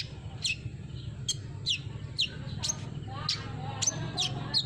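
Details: Olive-backed sunbird lure sound for a bird that has stopped singing: thin, high, downward-sweeping chirps given about twice a second over a constant low droning hum.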